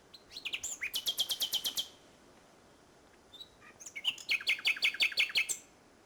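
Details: Common nightingale at Salthouse, Norfolk, 1 May 2011, heard at the end of a day of bird racing. Two fast phrases of loud, evenly repeated notes are separated by a short silence and a soft whistle.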